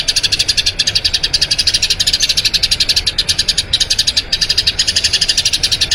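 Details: Long rolling song of a Eurasian tree sparrow, used as training material for other songbirds: an unbroken stream of sharp, high chirps at a fast, even rate, with only tiny breaks.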